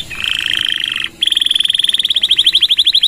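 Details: Canary singing gacor with long 'nembak' phrases, a master recording for training birds: a steady buzzy trill for a second, a brief pause, then a fast rhythmic series of pulsed notes.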